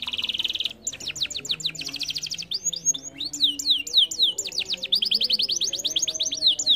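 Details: Canary trigger song for a bird that is slow to sing: a buzzy opening, then long runs of fast, evenly repeated falling whistles with short varied phrases between them.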